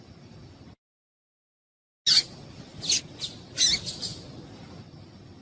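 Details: Female papa-capim (seedeater) calling to excite males; after a silent gap, a loud sharp chip is followed by a cluster of high, squeaky chirps over about two seconds against low background hiss.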